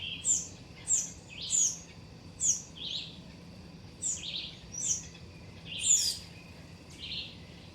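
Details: A Shiny Cowbird (Molothrus bonariensis) among other wild birds in a garden where young birds are growing up gives short, high, thin notes with lower burry undertones, about one per second, over a faint hiss.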